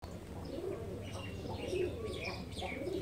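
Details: Domestic pigeons kept by a keeper: low soft cooing notes recur irregularly through a steady hum, with faint higher chirps and rustling in the background.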